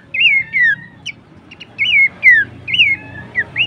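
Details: Horsfield's babbler recorded as a songbird training and luring track: clear whistled slurred notes, each rising then falling, given in pairs with short pauses; faint low hum underneath.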